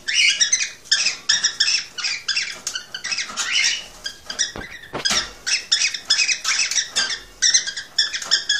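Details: Continuous excited song of a male cockatiel urging a female to mate and breed, dense rapid series of harsh, buzzy chirps with brief pauses and a few sharp clicks.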